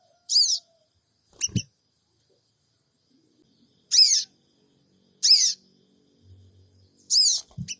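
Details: Sooty-headed bulbul in Purbalingga, 'cingik cingik' lure call on an Android phone: five brief, scratchy, high-pitched chirps at uneven intervals, with a couple of dull low knocks and a faint low hum between them.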